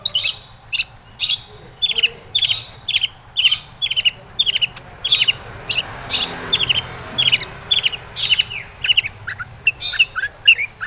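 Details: Long-tailed shrike (cendet) song used as a lure to provoke other shrikes into singing: sharp high chirped notes repeated about twice a second, some in doubled pairs, over a steady background hiss.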